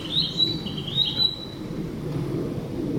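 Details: Narcissus flycatcher in woodland mimicking a cicada, giving a short run of thin, high whistled notes over steady low background noise.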